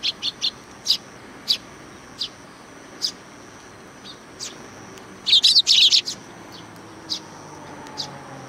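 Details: Welcoming flock of sparrows at a Tenmangu shrine in July 2020, rapid repeated chirps with a dense burst of many overlapping calls midway, then spaced single tweets.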